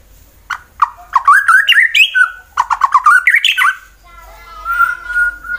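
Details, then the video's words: White-rumped shama, fighter type, Wonosobo, Central Java, Indonesia, used to provoke rival birds into singing: two fast runs of rising, wavering whistled notes, then a softer drawn-out whistle. "Murai BATU FIGHTER Bikin Emosi lawan langsung GACOR Sangat Ampuh Dijadikan Lawan tanding"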